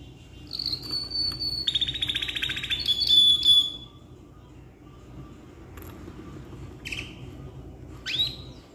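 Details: Caged canary, ngeroll black-red type, singing a long gacor song for tutoring young birds: a held high whistle, a buzzy rolled trill, then a pause broken by short isolated notes and a rising sweep.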